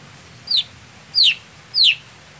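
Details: Greater green leafbird, a setting sound for a contest bird that is sluggish to start. Three sharp whistled notes sweep steeply downward, spaced about two-thirds of a second apart, over quiet background.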